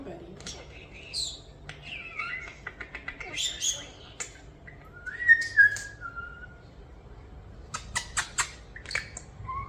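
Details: Two pet European starlings, about one year old and raised after falling from the nest as babies, give varied whistles, slurred rising and falling notes, clicks and chattering bursts, imitating sound effects, in a quiet room.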